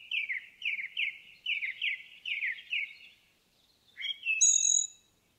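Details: Song of an indigo bunting in the forest: a run of six quick paired notes in a steady, even series, then a pause and a higher, thin ringing phrase to finish. The background is otherwise still.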